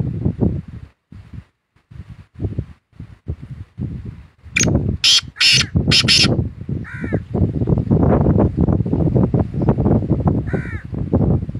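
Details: Black francolin giving a rapid series of four or five harsh, grating notes midway through, followed by two short tonal notes, all over steady low rumbling noise with fainter rustling before the calls.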